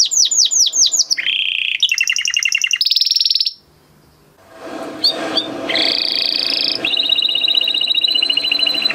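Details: A male canary sings falling chirps and rapid trills, then a pause with background noise before a further buzzy trill and a long pulsing whistled phrase.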